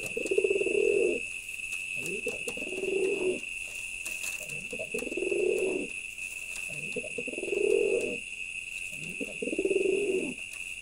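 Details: A male pigeon performs deep, rolling coos, each swelling for about a second and repeating roughly every two seconds, five in all. A steady high electronic whine and faint background noise run underneath.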